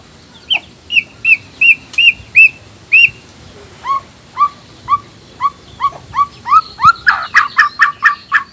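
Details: Male black-tailed white-rumped shama from Nias, a song said to rouse other males: evenly spaced clear whistled notes, first high and then lower and upslurred, ending in a quick burst of sharp repeated notes.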